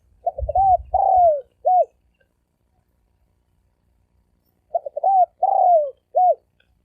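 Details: Spotted dove lure coo in thổ sấm đồng style for attracting males and females: two phrases of quick low notes, a long descending coo and a short end note, with a low rumble at the start.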